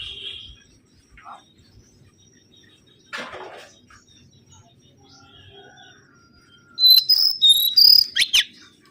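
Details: Mangrove whistler lure song: after quiet stretches and a few faint notes, a loud burst of high, sharply modulated whistled notes rings out in the final two seconds.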